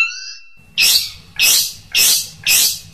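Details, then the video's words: Long-tailed shrike singing prolifically in a varied tutoring and prompting song: one thin high whistle, then four loud harsh, rasping bursts about every half-second. "burung cendet gacor | suara variasi masteran dan pancingan"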